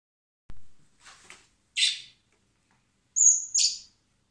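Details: Common blackbird chicks hand-fed at a wildlife recovery centre in spring before release; short high, buzzy begging bursts, one single and then a rising double squeal, with a soft click and faint rustling earlier.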